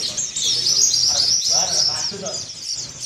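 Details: Kelud mountain white-eye giving sustained ngeriwik sambung twittering, a beak-opening training song: a dense, shrill, high warble running on steadily, with some softer lower murmuring sounds mixed in midway.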